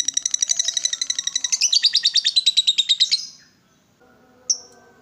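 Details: Provoked, excited lovebird delivering ngekek, a long chatter of rapid buzzy high notes about eight per second for three seconds, fading out, then one short sharp chirp after a pause.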